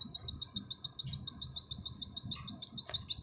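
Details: Oriental white-eye of the auri type singing in the 'nembak sejalur' style, used as tutor material: a fast, steady run of high, sharp, slurred notes, roughly three to four each second, over a low background rumble.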